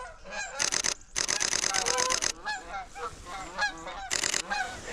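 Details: Canada geese flying overhead in winter at Deerfield Park, central Michigan, give loud, nasal honks in overlapping bursts, some quick and stacked together, others single and drawn out.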